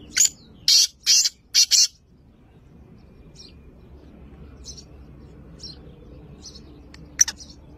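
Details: Black francolin call, recorded on 2 January 2024: a fast run of four or five loud, broad, harsh bursts within two seconds, followed by faint scattered high chirps over a quiet background.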